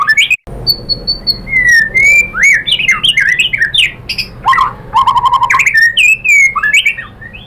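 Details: Lure song of a white-rumped shama meant to trigger singing: varied loud phrases of clear level whistles, warbled slurs and fast trills, shifting pitch from phrase to phrase.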